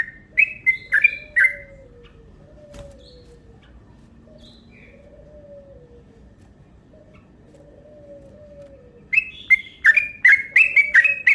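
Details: Yellow-vented bulbul call used as a lure, given in long rapid runs to provoke other birds: bright chattering notes at the start and end, with soft repeated dove cooing filling the quieter middle.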